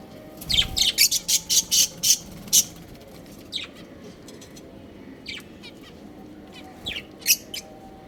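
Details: Playing pet budgerigars at home give a quick series of about eight sharp, high, repeated chirps in the first few seconds, followed by sparse single chirps and a short squeaky burst near the end over faint background noise.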